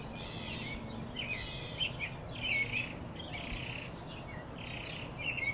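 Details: A blue-throated flycatcher in Arizona gives bright, twittering high phrases in short bursts about once a second, over a steady low rumble of background noise.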